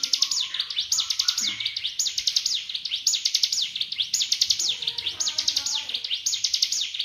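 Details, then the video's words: Indonesian master recording of a songbird for training other birds: fast, bright trills of descending sweeps in regular bursts, joined by softer lower chirps and a brief stuttering series near the end. "masteran burung handal"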